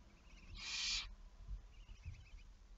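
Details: A single rough, hissing screech of about half a second from a barn owl, recorded 11 May 2019 at 23:34, followed by quiet with soft low thuds.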